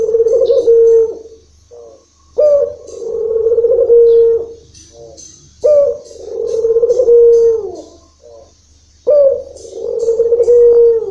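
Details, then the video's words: Low, sustained coos from a local Barbary dove in long rhythm, four in a row, each opening abruptly, humming steadily for about two seconds and tailing off, spaced about three seconds apart. "puter lokal irama panjang bikin syahdu"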